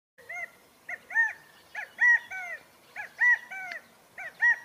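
California quail giving its loud three-note call, a short note then a higher arched one and a falling one, repeated about every second and a half.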